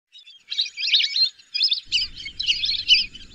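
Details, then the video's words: Whistling duck calls: dense bursts of high, thin whistled notes after a brief quiet start, coming in two runs separated by a short gap near the middle. "whistling dack call/sound /বালি হাসের ডাক/শরালী পাখির ডাক"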